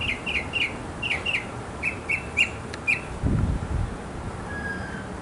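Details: A male mockingbird in a backyard, singing to attract a female, repeats short chirped notes in twos and threes before a dull thump and quiet.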